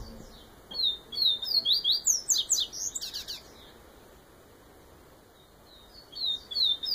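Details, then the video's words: Bahian yellow-bellied seedeater delivering its Viviti song, a quick series of thin, high descending slurs that accelerate into a trill, then resume briefly after a pause. "Papa Capim Baiano cantoria Viviti"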